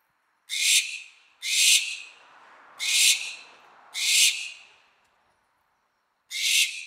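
A barn owl gives five harsh, hissing shrieks, each about half a second long and roughly a second apart, with a longer pause before the last.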